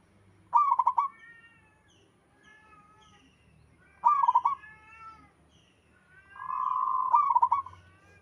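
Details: Natural local zebra dove song with other birds joining in: three stuttering coo phrases, the last preceded by a longer, steady sustained tone before breaking into rapid notes.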